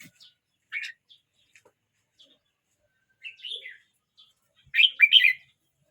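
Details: Red-whiskered bulbul, 12 months 29 days old, singing: three short warbled phrases spaced about two seconds apart, each a quick cluster of bright, slurred whistled notes, the last longest and loudest, in near silence.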